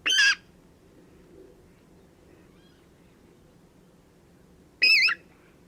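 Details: Water Rail calling about five metres away behind a bush, recorded very close in spring at Domaine de Graveyron near Audenge port; two loud, harsh, pig-like squeals with wavering harmonic tones, about 4.5 seconds apart, quiet between.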